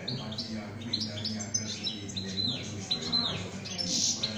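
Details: A kept European goldfinch delivers its 'şak şak' style song, a run of sharp high chirps and twitters repeated in quick bursts over a faint low hum.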